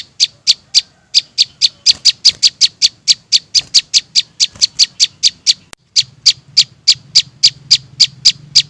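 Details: Juvenile prinias heard as bait sound for trapping: bright, piercing chips in a rapid stream, briefly crowding together, then a short break and an even run again, with low hum behind.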